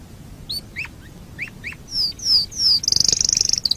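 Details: Canary master song for training birds: short down-slurred chips, then three clear descending high whistles, then a fast, very high rattling trill.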